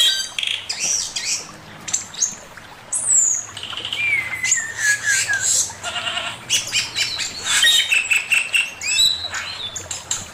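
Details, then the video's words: Male Chinese hwamei in master song, a dense varied medley of high whistled phrases, descending slurs and buzzy bursts packed closely together, over a steady low hum. "Burung poksay mandarin suara masteran Poksay mandarin jantan"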